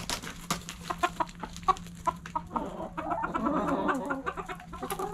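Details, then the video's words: Backyard chickens clucking at morning sunrise: sharp evenly spaced clucks for three seconds, then a longer throaty burst of overlapping clucks, over a faint steady hum. "Backyard Chickens Morning Sunrise Long Video Sounds Noises Hens Clucking Roosters Crowing!"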